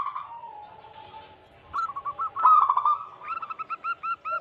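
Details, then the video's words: Wild local zebra dove song used as a lure to attract wild doves: a soft, low drawn-out coo, then a quick stuttering series of short cooing notes that ends in evenly spaced hooked coos. "Lokal Alam gacor pancingan pikat burung perkutut"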